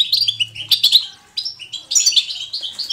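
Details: European goldfinch singing a natural, lively 'batbata' style of song: bright, high twittering bursts and tinkling notes with a short pause mid-clip before the chatter resumes, a faint low hum underneath.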